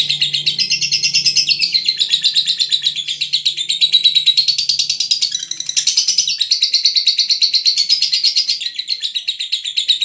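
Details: Lovebird of the Veronica line from Brebes singing a long, continuous run of rapid high chirps and twittering trills, densely repeated with little pause throughout.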